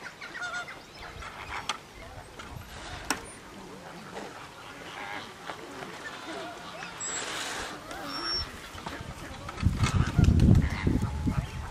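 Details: An Australian wood duck at Slimbridge gives nasal, drawn-out mewing calls, repeated irregularly over steady background noise, with a loud low rumble near the end.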